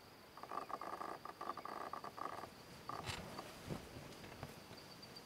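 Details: Female Montagu's harrier begging food from the male at first light, perched on a stone between cereal farms in her breeding territory: rapid, reedy chattering in two bursts over about three seconds, over a steady high insect whine.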